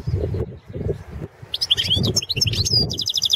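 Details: Balkan goldfinch (Carduelis carduelis balcanica) singing for the 2017 World Championship in Goldfinch Song: after low rhythmic thuds, a lively stream of high chattering and trilled notes with a few sweeping whistles runs to the end.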